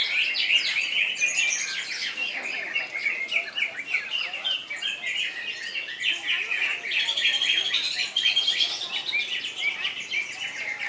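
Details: Greater green leafbird singing loudly in koncer style: an uninterrupted, fast stream of chirps, trills and bright whistles, about four notes per second.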